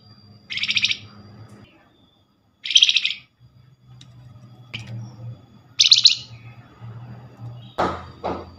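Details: A Flamboyan chattering as a lure to provoke other Flamboyans to respond. Three scratchy, buzzing bursts come roughly two to three seconds apart, followed by a few sharp clicks near the end.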